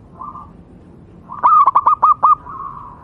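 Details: Local wild zebra dove giving tutor song for other perkutut: a faint sustained coo, then a loud run of about six quick looping notes, ending in a soft drawn-out tail.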